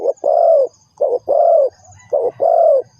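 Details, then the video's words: Spotted dove kept as a trapping lure, giving three quick phrases, each a brief low note followed by a long hoarse coo, close and loud. "The Sound Of Spotted Dove is good,Bẫy cu gáy bằng mồi trồn,เสียงนกเขาใหญ่,Suara Terkukur Pikat Tua"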